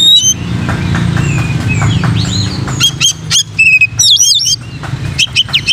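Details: Oriental magpie-robin song for training other magpie-robins: a few soft whistles, then a lively run of sharp chips and wavy, looping whistled notes in the second half, with a low hum beneath.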